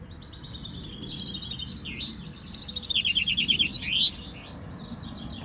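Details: Several of 23 caged male chaffinches at a finch-singing contest outside a café in Bellem, Belgium, on 4 May 2019 between 9 and 10 am sing bright, fast descending trills ending in a flourish, repeating every few seconds over low rumble.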